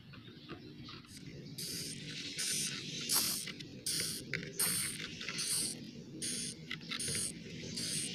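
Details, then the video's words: Swiftlet chicks in a small nest house, recorded inside: rapid hissy rasping bursts begin after a quieter start and repeat irregularly, almost one per second, with a steady low hum throughout. "dengar suara asli anakan burung walet"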